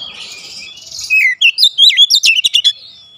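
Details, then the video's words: Oriental magpie-robin kept at home, singing a lively daily song: after a faint buzzy start, loud whistled notes sweep up and down, then a fast string of short sharp chirps, about a dozen notes in two seconds. "Kacer rumahan selalu bunyi gacor"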